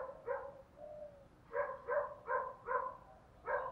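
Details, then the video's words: Spotted doves, male and female, cooing to stir up other doves for cooing contests; a run of short, low, hollow coo notes repeated about every half second, one drawn-out note early on, over faint background hiss. "chim cu gáy thúc gu vấy gáy gọi, cu gáy thúc đấu và gù đấu gáy gọi"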